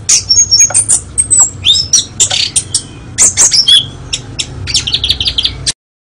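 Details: Oriental magpie-robin (kacer), a national champion bird, pouring out rapid, high, scratchy chatter mixed with piercing whistles and clicks in quick succession, nearly continuous for about six seconds before stopping abruptly.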